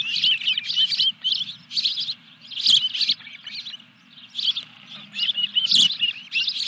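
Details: Osprey nest at Dunrovin Ranch, 14 July 2021, during a fish delivery: clusters of shrill whistled chirps, with a quieter pause around the four-second mark, then calling resumes.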